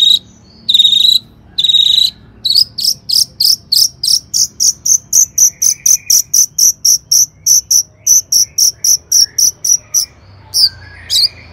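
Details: Long-tailed shrike song played as a lure so other shrikes will sing: two drawn-out harsh notes, then a fast, steady series of short high chips repeated about four times per second.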